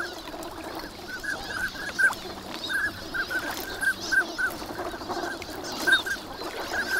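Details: A crowd of winter migrant ducks on Lake Inawashiro at Nagahama, active in the morning under good weather, gives brief clipped whistles in loose clusters, several birds calling at once against faint ambient noise.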